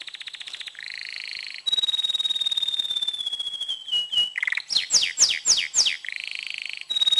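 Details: Song of an excited, tamed male canary aimed at preparing females for breeding: buzzy rolls, a long gliding whistle sliding slightly downward, then loud descending swept notes and another trill.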